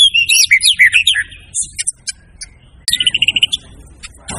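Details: White-rumped shama delivering jumbled whistles and warbles, a short quiet spell, then a brisk run of repeated notes, with low background noise at the end.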